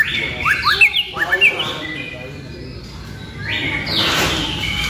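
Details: White-rumped shama, a murai batu pastol groomed as a future contest champion, sings a quick run of bright whistled notes with rising and falling slurs for about a second and a half, then goes quiet over low hiss and murmur.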